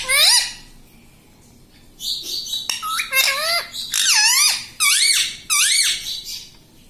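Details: Household parrot mimicking spoken words like "mummy": one scooped syllable, a pause, then a regular series of about six loud, wavering, speech-like phrases, each dipping and rising in pitch.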